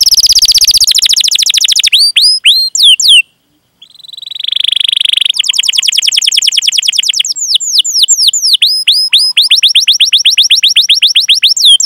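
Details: Canary singing in long rolling phrases to draw other canaries into song: rapid buzzy trills, curved chirps, a brief pause, a steady rolled tone, then quick falling notes repeated many times.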